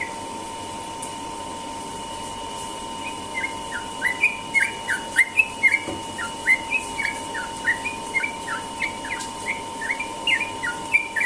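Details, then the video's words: A sooty-headed bulbul delivers a morning ropel song: quiet at first, then a long run of quick, bubbly whistled notes, rising and dipping, continuing to the end, with a low electrical hum beneath. "burung trucukan ropel pagi"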